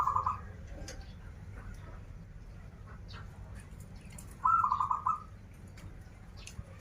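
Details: Zebra dove, local Banten bird kept for singing: a short trilled coo at the start and a longer rolling phrase near four and a half seconds, with faint background noise between.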